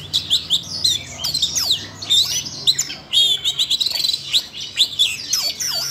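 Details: Red-throated thrush stirred into chattering song by training audio: rapid varied whistles, sweeping slurs and scratchy twitters in dense phrases, with a faint low hum underneath.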